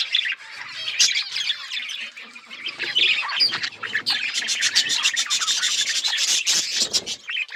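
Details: Budgies warble and squawk in dense overlapping chatter, growing into rapid, clicky high chirping toward the end.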